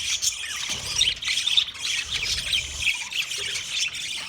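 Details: Budgerigar chirping: dense, continuous high-pitched chatter of overlapping squawks, chirps and warbled notes throughout, with a faint low rumble underneath.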